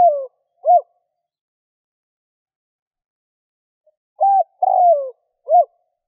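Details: Spotted dove cooing, used to lure wild doves: two phrases of low, hollow coos, short rising-falling notes around a longer sliding coo, separated by a long silent gap; no other sounds.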